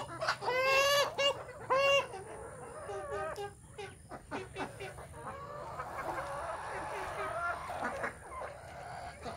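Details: Desi chickens on a village farm with natural hatching, morning: two loud harmonic calls from a bird open the scene, then softer clucking and a busy background chorus of the flock.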